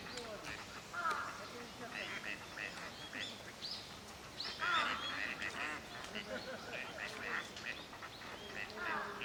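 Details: Gadwall flock in a park pond at Junsai-ike green space, Chiba, Japan, in November 2025, performing pair-forming courtship displays. Busy chorus of clipped nasal notes and quick rising squeaks, several birds calling at once.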